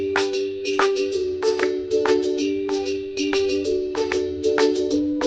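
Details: Bright mallet-percussion music with repeated chiming, xylophone-like notes over a steady tone, and no animal voice.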